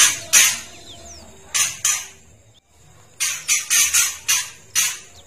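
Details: Kretekan call of a spotted young female white-rumped shama, used to stir males to anger: scattered harsh rasps, a short silence, then a quick series of five scratchy bursts.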